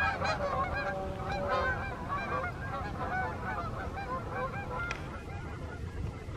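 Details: Canada geese on the wing in the evening, summer or fall 2020: rapid, irregular honking from many birds, strongest early on and thinning toward the end, with low background rumble.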